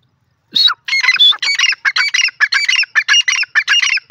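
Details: Grey francolin, known locally as teetar, calling loudly in a rapid, harsh, repeated series of ringing notes, with a chattering quality and about two notes per second.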